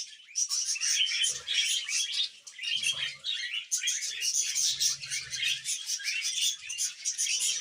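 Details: Several pet budgerigars chattering together: a dense, continuous warble of rapid scratchy chirps and squeaky notes, with short pauses near the one- and three-second marks and faint low knocks underneath.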